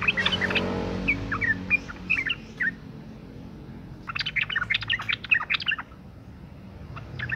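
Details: Female sooty-headed bulbul in breeding condition calling for males: quick scattered chirps and chattering notes in short bursts, a pause, then a denser run of sharp chirps, with a low hum underneath.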